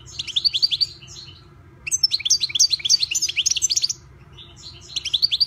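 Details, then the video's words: European goldfinch (Carduelis carduelis), a privately owned bird, delivering three bursts of quick liquid twitters and buzzy trills separated by short pauses, the middle phrase longest, over a quiet low background hum. "ΚΑΡΔΕΡΙΝΑ ΜΕ ΟΛΗ ΤΗΝ ΣΗΜΑΣΙΑ ΤΗΣ ΛΕΞΗΣ!!! (Carduelis Carduelis)"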